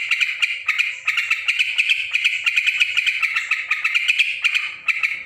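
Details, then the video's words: Busy, loud chatter of a yellow-vented bulbul: rapid rasping and chirping notes tumbling together almost without pause, a few brief dips between phrases. "suara trucukan ribut"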